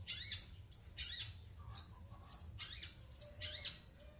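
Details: Caged long-tailed shrike responding to coughing sounds with loud, grating, high-pitched squawks in quick pairs and triplets, each note harsh and slightly descending, against a faint low hum.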